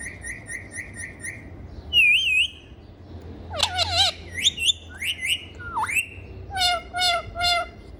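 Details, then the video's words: Ringneck parrot kept as a pet and said to talk gives a row of short evenly spaced chirps, a wavering whistle, then clustered squawks, dipping whistles and a closing run of rhythmic squawks. "Funny Parrot Talking and Dancing"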